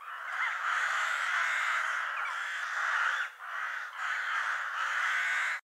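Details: Many crows of a murder making a steady wall of overlapping harsh, raspy cawing and assorted noises, with short lulls before the chorus swells again.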